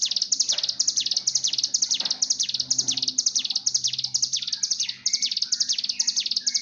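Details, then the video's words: Ciblek gunung, the mountain tailorbird, in breeding-condition sound used to train birds to sing: rapid series of high, buzzy, down-slurred notes about twice per second, with fainter lower chirps and a low hum. "pancingan Bren Ciblek Gunung cigun untuk melatih gacor bunyi birahi"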